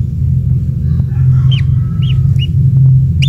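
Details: Newly hatched kingfisher chick in the nest receiving insects from its parent; four clear, curved chirps spaced about half a second apart, heard over a continuous low droning rumble.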